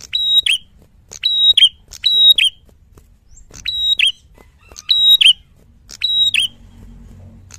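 A Red-headed tit gives sharp, high, ringing notes in quick pairs, about one burst each second, with short pauses between groups.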